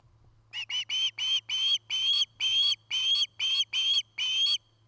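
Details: At a Charlo, Montana nest on 8 September 2018, an osprey gives a steady series of about twelve piercing whistled chirps, around two per second, each with a slight upward inflection; faint hum behind.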